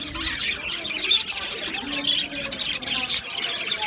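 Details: Aviary budgerigar colony on 11 July 2025 keeps up continuous high chattering, with two sharp, loud chirps standing out near the middle and end.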